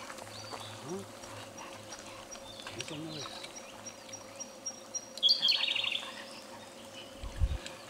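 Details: In spring in Japan, a Siberian blue robin, a breeding summer visitor, sings to advertise territory and attract a partner: faint thin high notes, then one loud, fast, rattling high trill, over a low hum and faint low voices.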